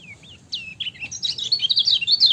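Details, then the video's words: Yellow lemon-bellied white-eye singing: a couple of soft descending whistles open, then a quickening stream of high, sharp twittered notes rising in volume. "MASTERAN KECIAL KUNING CIAK JOSS GACOR"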